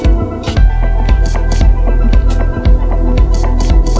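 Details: Electronic music with deep throbbing bass and regular percussive beats, with no animal sounds.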